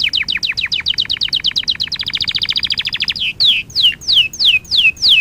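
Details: Training-lesson canary singing for young birds: a fast run of falling sweeps, then a quicker flat trill, then slow, clear falling whistles repeated about every third of a second, with a low hiss behind.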